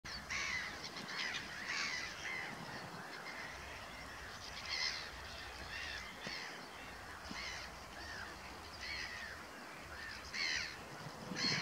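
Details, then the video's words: Several sand martins at RSPB Middleton Lakes on 23 April 2023 give dry, rasping, buzzy chirrups in quick bursts about every second, overlapping into a harsh chatter over a low background rumble. "Sand Martins"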